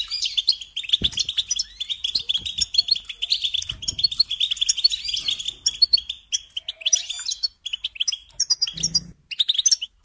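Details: European goldfinch singing as a training model for songbirds: a long rapid twittering run of bright chirps and trills, thinning out toward the end, with a brief low hum near the ninth second.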